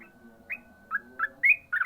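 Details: Yellow-vented bulbul in 'ropel' singing: a thin sustained whistle under a few quick bright chirps, ending in a short rattling trill.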